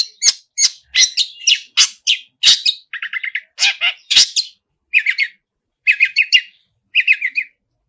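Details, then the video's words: Long-tailed shrike singing vigorously with a full 'isian' of fill phrases: varied short chattering and scratchy notes, then rapid buzzy trills in clusters of three to five, with brief pauses between phrases. "pentet full isian gacorr"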